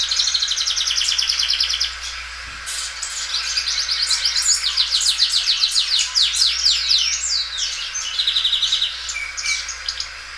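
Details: Loud Belgian canary song, the phrases drawn out several times: a rapid buzzy trill opens, followed by strings of fast rising and falling whistled notes and repeated rolling trills, continuous for ten seconds.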